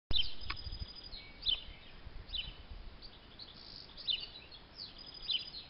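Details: Small bird with a black-and-white head, thought to be a tit (another observer suspected a robin), calling on an evening walk in Bilfingen on 1 July 2020: short, high, thin notes every one to two seconds over low background rumble.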